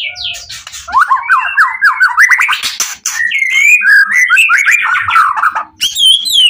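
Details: Emotional, intense White-rumped shama song aimed at drawing answers from other shamas: dense, rapid strings of downslurred whistles and scratchy notes that climb and fall without pause, with a few higher squeaky notes at the end.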